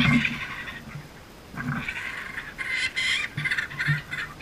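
A kookaburra gives harsh, raucous chuckling notes in uneven bursts, rising into a rapid cackle, with a few low thumps beneath.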